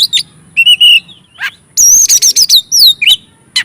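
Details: Oriental magpie-robin, singing to stir other magpie-robins: a whistled note, a falling slur, then a rich wavering high warble with swooping notes.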